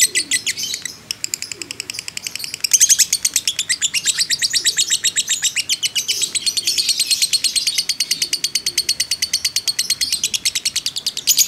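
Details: Long unbroken ngekek chatter of a fighter lovebird used to provoke other birds: after a brief opening, a relentless stream of fast, high, rattling chirps running on without pause.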